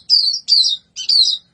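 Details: White-eye singing: three quick high slurred phrases, each falling slightly, spaced about half a second apart, with no other sounds.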